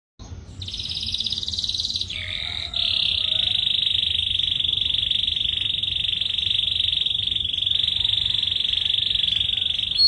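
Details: Dark carrot-coloured male songbird singing: a short high buzzy phrase, then a long, steady, high sustained trill held without a break to the end.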